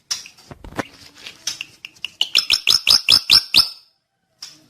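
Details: Drongo starting with scattered chips and short calls, then breaking into a steady run of loud, upswept whistled notes about two per second.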